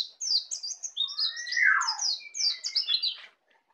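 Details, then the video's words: Juvenile white-eye native to Bali practising ngeplong singing: a dense string of sharp, high chirps and short trills over a louder, buzzy descending slur in the middle, ending abruptly. "Pleci Bali baru Belajar ngeplong"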